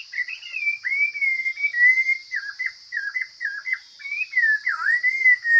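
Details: Wild Chinese hwamei singing strongly and well, with a varied stream of loud whistled notes, some level, some dipping, in quick choppy groups. A faint continuous high-pitched hum is present.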